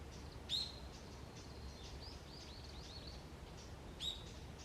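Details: Early autumn morning in a forest, wild birds calling: two loud, sharp high chirps four seconds apart, with a faint rippling run of softer chirps between them and a low steady background hum.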